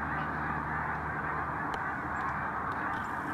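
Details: Huge resting flock of migrating snow geese, likely more than 5000, stopping in the Village Grande development while heading north; steady, dense chorus of high-pitched honks blending into one constant clamor.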